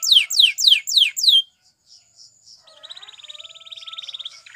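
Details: Training song of a Spanish Timbrado canary: five loud descending whistled notes, a gap of soft chips, then a quieter even high rolling trill.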